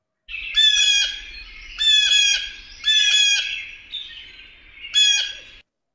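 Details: A Blue Jay, a common winter bird in Manitoba, gives four harsh, raspy squawking calls, each about a second long, in an uneven series with short pauses between them.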